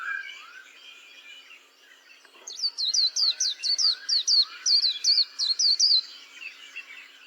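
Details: After a few soft lower whistles, a white-eye launches a crisp run of about fifteen evenly spaced, high, downslurred notes, each sharply clipped, before fading into faint warbles.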